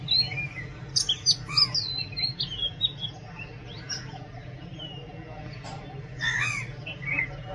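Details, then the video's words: Oriental magpie-robin singing a jumble of quick chirps and slurred whistles early on, a quieter stretch, then a lower warbled phrase near the end, against steady low-pitched background noise. "Oriental magpie robin Song"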